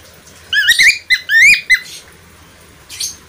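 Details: Budgerigar, called parkit australia or falk, producing a short run of bright, upswept chirps lasting about a second and a half, then one faint later note amid quiet.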